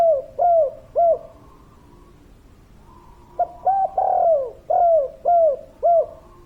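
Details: Repeated falling coos from a spotted dove (tekukur), first two trailing notes ending a phrase, then after a pause a new phrase of short notes, a long downslurred purr and three even coos.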